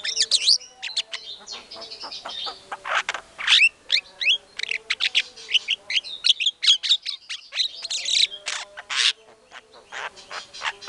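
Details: White-rumped shama lure song, the bird in full voice to make other shamas reply: a long, dense medley of sharp whistles, buzzy trills and quick chattering notes with brief pauses between bursts.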